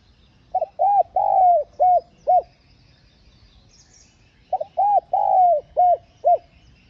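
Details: Spotted dove cooing to excite and attract other doves: two identical phrases of five hollow, arched notes with a stretched middle coo, separated by a brief silence, over faint background hiss.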